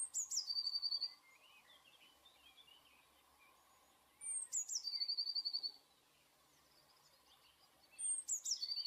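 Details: Eurasian blue tit sings its song three times, about every four seconds: a very high, thin descending note, then a fast, even trill on one lower pitch. Faint softer chips are heard between phrases.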